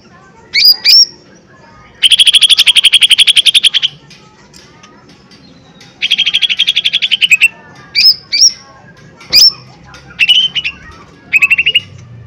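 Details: Lesser green leafbird, a powerful provocation lure: long rattling trills alternate with short, sharp whistled upslurs, the phrases coming in quick succession with brief pauses.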